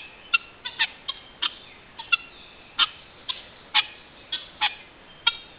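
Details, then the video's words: Guineafowl giving sharp, rasping call notes in an irregular series, roughly two per second, each note harsh and noisy with a clipped, abrupt ending. "Guineas Again!"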